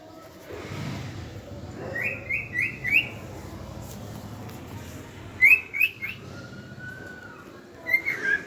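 A cockatiel whistles short rising phrases in small bursts, with a longer, steadier whistle in between.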